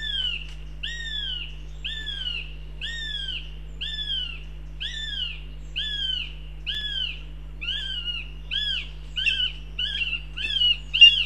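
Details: Goshawk in Riga, Latvia, giving a series of sharp, arched, ringing notes, about two per second, quickening and growing louder toward the end, over a steady low mechanical hum.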